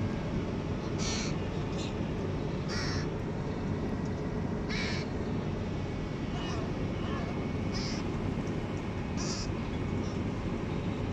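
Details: Hooded crows feeding and sunbathing give short, harsh caws, spaced a second or two apart, over a steady low rumble of wind or traffic.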